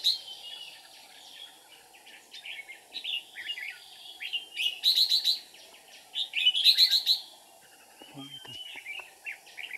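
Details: Red-whiskered bulbul used as a decoy bird for trapping, recorded 13 May 2019, singing in the "ché" style: bright whistled phrases and clustered high chirps repeated in bursts, with background noise and a brief low thump.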